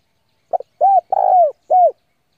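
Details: Decoy spotted dove cooing to lure wild rivals in to fight: a short stuttered double note, then three drawn-out, mellow, slightly falling coos, the middle one longest, over a quiet background.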